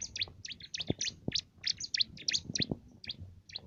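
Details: Loud canary-flavoured singing from a bar-winged prinia used to tutor contest songbirds: quick clustered high chirps and twittering notes, with a few low knocks behind.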